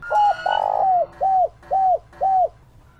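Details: Decoy spotted dove calling in the 'Chiêu Ba Hậu' manner to provoke wild doves. It opens with a short coo and a long broad slurred note, then three arched coos follow at a steady pace of about two per second.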